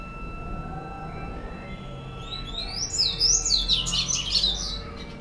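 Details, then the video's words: Captive white-collared seedeater, an orange-billed, white-collared bird known locally as bico laranja or argolinha branca, well kept and singing a lot; after quiet faint notes, a rapid run of high, rising and falling twittering phrases, over a steady low hum. "o canto do coleiro bico laranja argolinha branca."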